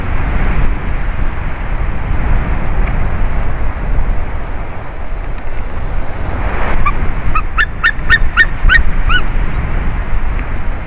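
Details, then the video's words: Low rumbling background for most of the recording, then a brief run of sharp yelping notes from a White-tailed eagle at a favourite tree during a changeover, 30 March 2019. "Jūras ērglis Haliaeetus albicilla"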